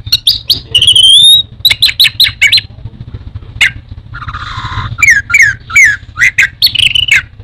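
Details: Indonesian orange-headed thrush singing a fast varied medley: sharp chips, a high sweeping whistle, a short buzzy rasp, then more rapid descending whistled notes, over a quiet low rumble.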